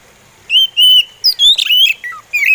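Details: Oriental magpie robin (kacer) singing a slow song. Clear, pure whistled phrases, some held steady and some sliding down, arrive in bursts with short pauses, followed by a quicker run of rising and falling notes.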